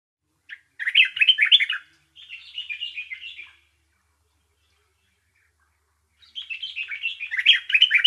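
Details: Bulbul chirping in lively bursts of bubbly, warbled notes. A loud jumbled phrase comes first, then a softer run, then a pause, and another rich phrase closes the stretch. The background is quiet.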